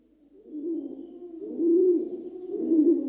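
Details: Rock dove, the common pigeon, giving soft, low cooing that swells in loudness over three seconds, with two fuller, rolling coos toward the end.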